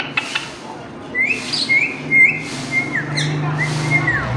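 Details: Pet parrot, described as a nonstop talker, giving a series of clear whistled notes around a steady middle pitch, some sliding down at the ends, with a low hum and faint background noise throughout.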